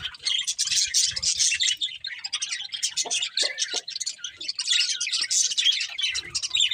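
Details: A breeding pair of budgerigars chirping in steady high scratchy twitter, with a few lower clicks in the middle.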